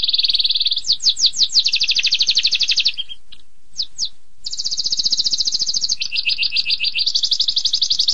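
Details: Canary in long tembakan pedas song, delivering fast rolling trills and a few separated sweeping notes, then resuming sustained high rattling trills at changing pitches.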